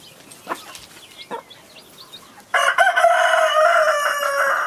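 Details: Chicken on a farm with a hen and her baby chicks; after soft scattered clucks, a loud sustained crow bursts in and holds a strong harmonic tone, slowly falling, for the last two seconds.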